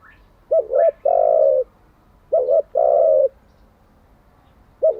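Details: Spotted dove coos used in daily training of decoy and freshly trapped doves: a stuttering double note, then a long mellow hoot, repeated twice, with a third phrase starting at the end.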